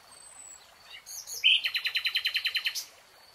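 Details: Singing nightingale in a lush green forest: a few rising whistles, then a sharp loud note launching a steady, rapid run of about twelve repeated chirps lasting over a second.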